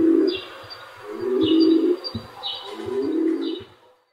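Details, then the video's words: Flock of rock pigeons cooing: low, throaty murmuring coos that swell in three overlapping bursts roughly a second apart, with faint higher chirps and soft clicks mixed in. "Flock Of Pigeon Cooing Sound"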